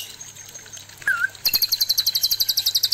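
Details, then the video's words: Male white-rumped shama facing a fierce female, played to stimulate breeding: a single slurred whistle, then a fast even series of sharp high chips repeated about seven times per second, low hum throughout. "suara murai batu jantan menghadapi betina galak"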